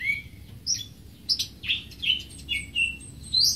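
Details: Greater green leafbird song of short, varied whistled notes and sharp chirps, delivered about every half second with shifting pitch and some rising, upward-slurred notes near the end.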